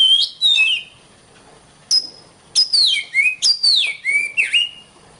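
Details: Oriental magpie-robin singing on a long training recording for songbird keepers: bursts of bright whistles separated by a second-long pause, then descending slurred phrases and a final dipping note.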